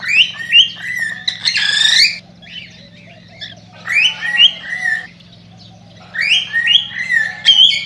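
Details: Cockatiel song for breeding stimulation: rising whistled notes and raspy warbled squawks in three bursts separated by quiet pauses of about a second or two, with a soft continuous hum.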